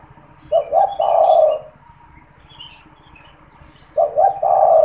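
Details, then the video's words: Spotted dove in a cage, a keen caller kept as a lure for catching wild doves; two low coo phrases about three seconds apart, each two clipped notes and a sustained coo, with faint twittering of other birds. "SUARA PANGGILAN DAN PANCINGAN TEKUKUR TERBARU | TEKUKUR GACOR BAGUS BUAT PIKAT"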